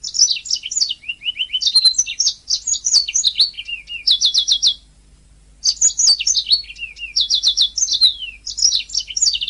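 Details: Canary master recording for training singers: long, varied song with rapid twitters, lower buzzy trills and fast repeated rattling notes, one brief pause midway.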